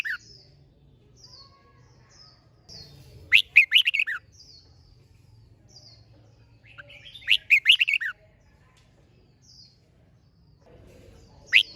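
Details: Contest-style song of a red-whiskered bulbul, meant to rouse birds to sing. Crisp, rollicking bursts of five or so notes come every four seconds, with faint high slurred whistles and a low background drone between them.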